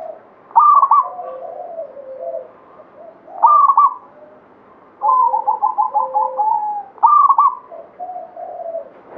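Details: Lively local zebra dove of the Banyumili katuranggan type singing three bright stuttering coo phrases, plus a rapid rolling series of coos from another dove, over soft lower cooing.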